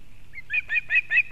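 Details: Osprey female at a nest in Kurzeme, Latvia, bringing fish to her chick, 31 August 2024: short series of high, shrill, chirping notes building in loudness, about five per second, over a faint low hum.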